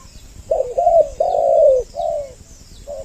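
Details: Spotted dove lure recording with two voices, used to draw males and females close: soft, low coos, one slurred downward, a burst of about four notes, then a short separate coo, over a faint constant hiss.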